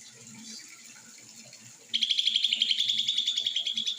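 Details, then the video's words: Leafbird bursting into a fast, steady trill of high ringing notes, roughly four per second, after a quiet start with faint background chatter and hiss. "ijo mini Konslet"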